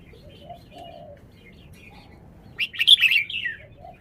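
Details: Red-whiskered bulbul giving one loud, fluid whistled phrase after a quiet start with faint lower chirps from another bird in the background.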